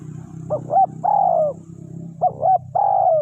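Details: Spotted dove kept as a lure for wild doves, repeating its phrase twice: two clipped hoots, then an extended, downward-sliding coo, with a constant low hum underneath.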